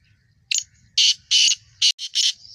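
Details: Black francolin, young male in his first season, delivers a rough phrase: a sharp introductory note, two long harsh bursts, then three quicker scraping notes, against a soft, constant insect whine.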